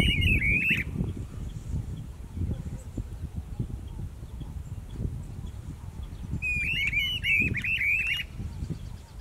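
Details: A pair of Streamer-tailed Tyrants (Tesoura-do-brejo) duetting in Pompéu, Minas Gerais, Brazil. Two bursts of harsh, chattering, interlocking notes: a short one at the start and a longer one near the end. Steady low rumbling background noise throughout.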